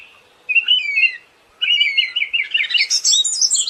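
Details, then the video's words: Siberian thrush delivers two warbled whistled phrases with downslurred notes, the second swelling into a fast, high, twittering jumble that climbs in pitch toward the end. "SUARA BURUNG ANIS SIBERIA"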